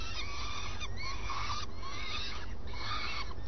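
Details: Early-morning common swifts at the nest, both adults present at a changeover; wavering harmonic calls, brief rising and falling slurs in quick succession, with steady low background noise.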